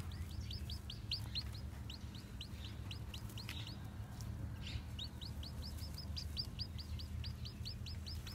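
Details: Newly hatched Japanese bantam chicks, white with black tails, wander about, peeping constantly in quick, high, slurred notes, several per second, over a low rumbling hum.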